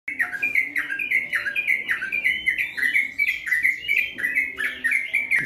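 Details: Sooty-headed bulbul singing actively in a long, rapid-fire ropel style: bubbly, slurred whistled notes rising and falling in quick runs, phrases repeated without pause, with a faint low hum behind.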